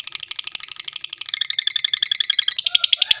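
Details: Fighter-type lovebird, a pet bird, giving a long trill to provoke other lovebirds to reply: an unbroken fast chattering run of high shrill notes, about three to four per second-tenth, through the whole stretch.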